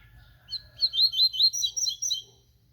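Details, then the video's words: Double-collared seedeater, known locally as papa-capim, singing: a quick run of sharp, bright chirped notes, about eight to nine in under two seconds, high and clear with little background. "Papa capim tui tui cantando muito"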